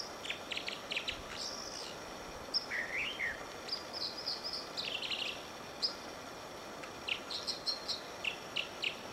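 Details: An American dipper singing and dipping on Whisper Creek near Diamond Lake, Oregon: a varied run of high, sharp chips, buzzy trills and short whistled slurs over a steady rush of flowing water.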